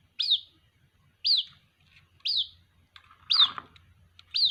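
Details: A white-breasted waterhen chick calls to its mother with bright, quickly falling peeps roughly once a second, while a faint low hum and a brief rustling clatter sound under the fourth note.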